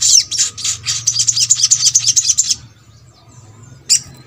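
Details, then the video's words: Sogok ontong song used to encourage birds of its kind to sing more often: a quick, shrill rattling trill of high notes for about two and a half seconds, then one lone chirp. "MASTERAN SOGON ( sogok ontong ) BAHAN AGAR RAJIN BUNYI"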